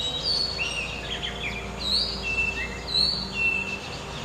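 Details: Oriental magpie-robin singing in open country in Malaysia: a varied run of clear, high whistles, some rising and some falling, with sharp slurred notes delivered in quick succession over faint background noise.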